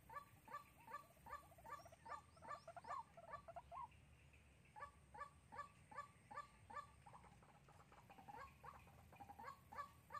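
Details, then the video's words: White-breasted waterhen decoy for trapping, recorded in Sóc Trăng, Vietnam, on 2 February 2021. Long run of rhythmic nasal croaks, about two or three per second, briefly breaking off midway before restarting, with steady low noise behind. "Bẫy Quốc Mồi Sóc Trăng"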